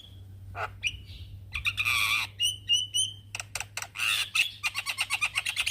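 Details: Calling to young companions, a male Javan myna mixes short whistles, a buzzy harsh burst, clean level whistled notes, then scratchy squawks and a rapid rattling chatter.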